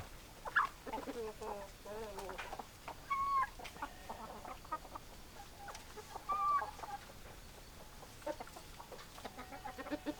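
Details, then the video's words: Hens and roosters clucking in a farmyard: scattered short, nasal clucks and rolling cackles, with a few thin whistled notes rising above the flock and a soft background murmur. "Chicken Sounds Noises Hens Clucking Roosters Crowing"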